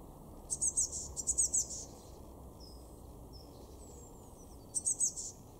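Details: Garden blue tit, Weener in East Frisia, northwest Germany, February 2024: two quick groups of very high, sharp chittering notes early, then another at the end, with faint thin whistles between and a steady low rumble throughout.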